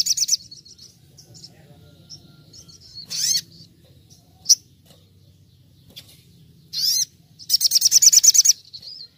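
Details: Little spiderhunter 'nembak' training recording in wild style: scattered sharp high chirps and short bursts, then a rapid rattling run of about a dozen quick repeated notes.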